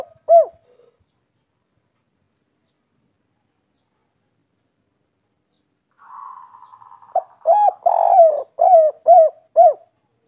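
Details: Spotted dove (derkuku) kuk 3 song: a lone arched coo, a long pause, a low trembling purr, then a run of coos ending in three quick short notes.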